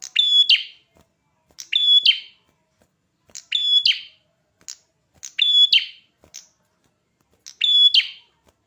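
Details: Red-headed prinia singing actively: five short bright phrases of clear whistled notes with a sharp buzzy ending, repeated roughly every one and a half to two seconds, with silence between and no other sounds.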